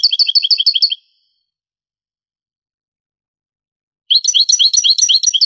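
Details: European goldfinch singing in the Granada (Andalusian) style, from an old Spanish recording of the 1980s–90s: two bursts of rapid, repeated tinkling twittered notes, high and bright, separated by three seconds of silence.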